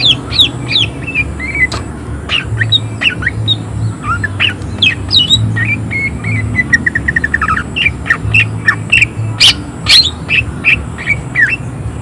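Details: Greater green leafbird chattering nonstop in rough-voiced 'tembakan' style, loaded with energy: dense sharp chirps, quick slurs and a rapid rattled series of clipped notes, over a constant low hum.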